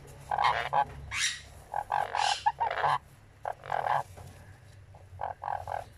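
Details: A 10-day-old sun conure chick being fed gives raspy, rhythmic begging bursts in quick repeated series.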